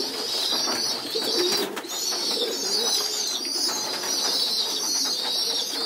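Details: Several pigeon youngsters on the floor of a loft, begging at group feeding time; a dense, high, hissing squeal runs throughout, with a few faint low coos.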